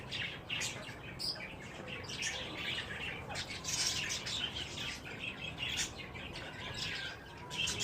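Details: Wild green ringneck parakeets during mating keep up a busy, scratchy chatter of high chirps and squeaks, overlapping and uneven in rhythm.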